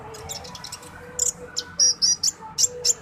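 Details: Orange-headed thrush (konin dacok) song: a run of loud, very high, piercing chirps, clipped and uneven, about one every quarter second in the second half, over low background noise.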